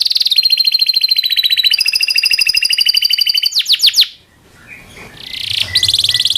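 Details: Local canary rolling song for training magpie robins and other chattering birds: sustained rapid buzzy trill, a few sharp sweeps, a short gap, then the trill resumes.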